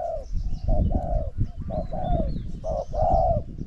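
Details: Spotted dove decoy duel with a wild bird. Mellow coos in short-long pairs are partly masked by heavy low rumbling noise, with faint high chirps above.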